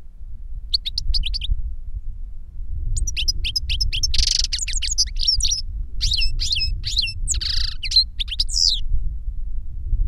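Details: European goldfinch reclamo singing: a master bird and a novice it taught through a CD of its song. Short chirp series, then long stretches of high twittering with hissy buzzes and bent whistles over a low rumble.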